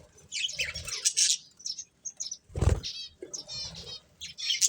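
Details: Breeding pair of budgerigars gives short bursts of bright, buzzy chirps and warbles, broken by a single dull low thud near the middle.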